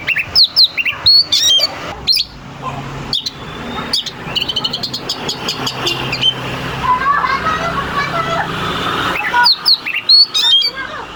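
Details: Oriental magpie-robin song used as a lure for rival birds. Quick, sharp whistled notes open and close the passage, while the middle is masked by a broad noisy background.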